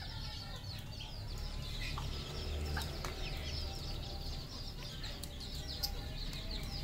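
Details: Farmed red junglefowl in Cambodia, many overlapping thin descending chirps repeated rapidly, mixed with occasional low clucks over a rumbling background.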